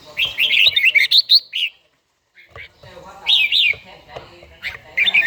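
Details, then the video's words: Red-whiskered bulbul, an old bird with a forest-style voice, trained in morning singing in Gia Lai, Vietnam: two bursts of quick warbled whistled phrases around the upper-middle pitch, separated by a silent gap, with faint clicks. "chàomào HÓT SÁNG, LUYỆN CHIM HÓT HẰNG NGÀY"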